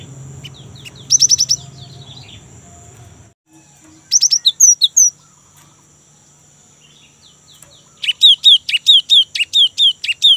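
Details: Young great tit singing in the rolling ngerol style, a lure to start caged great tits singing: short buzzy rattles, then a run of crisp two-note whistled phrases repeated about twice a second, with a steady high whine.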